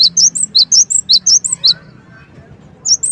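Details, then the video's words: Gelatik wingko or cinereous tit used as a lure for provoking replies: quick sharp high notes in repeating phrases for under two seconds, a pause, then the phrase begins again. "Pancingan Gelatik wingko gacor |] burung yang dipancing pasti langsung Emosi Bunyi Nyahut dan Gacor"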